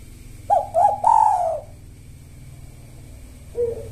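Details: Spotted dove singing in the 'kuk satu' style, noted for calling at the predawn sahur hour and used as a lure rhythm for silent doves: two short hollow coos followed by a longer slurred coo, another phrase starting near the end, low hum beneath.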